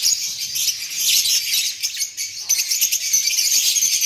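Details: Albino African lovebirds, a breeding pair, giving dense, shrill, high-pitched chirps and screeches in rapid overlapping bursts that continue almost without pause.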